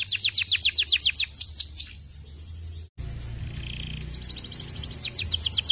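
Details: Canary song used to stimulate canaries: a loud fast trill of repeated high notes for two seconds, a quiet gap with a brief break, then the trill returning softly near the end.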